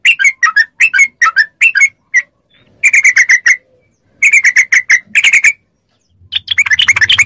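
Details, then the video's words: Yellow-vented bulbul song as a training track to make caged bulbuls answer: clusters of rapid liquid chirps separated by short gaps, ending in a fast burst over a low hum. "MASTERAN TRUCUK CEPAT ROPEL||SEMUA TRUCUK LANGSUNG NYAUT||TERAPI TRUCUKAN"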